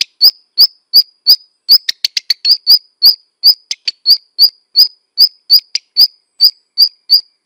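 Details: Black redstart calling: short, sharp whistled notes repeated about three times a second, mixed with quick clicky ticks, on a clean, quiet background.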